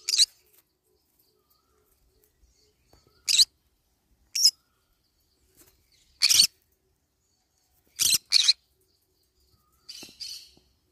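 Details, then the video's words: Green-cheeked conure busy eating banana leaves gives brief, sharp, scratchy chirps scattered through the clip, including a quick double note, amid faint crunching and clicking. "green cheek conure cute bird sound"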